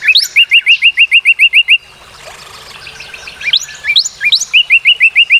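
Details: Rapid, evenly spaced whistled notes from a Northern cardinal, about ten in a row. After a soft pause, strong upslurred whistles lead into another quick run of the same short notes.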